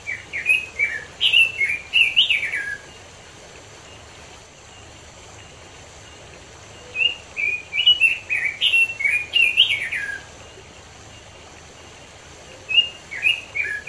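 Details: Robin singing in the wild in the mountains of East Java, Indonesia: three bursts of quick, warbling phrases that rise and fall, with pauses of several seconds between bursts.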